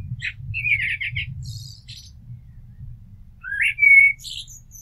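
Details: Common blackbird giving a quick warbled trill of fluty notes and a high scratchy tail, then after a pause a rising whistle that levels into a clear sustained note.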